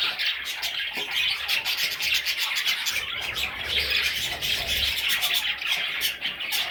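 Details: Young parrot chicks in a group keep up a busy stream of scratchy, high-pitched chirps and squeaks, mixed with soft rubbing and scraping noises throughout.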